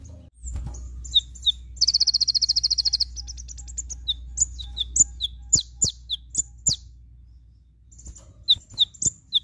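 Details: Olive-backed sunbird (konin) song used as a tutor recording in the full 'tembakan' style: high thin chirps and a fast rattling burst of evenly spaced notes, followed by sharp separate ticks and short high notes, over a low steady hum.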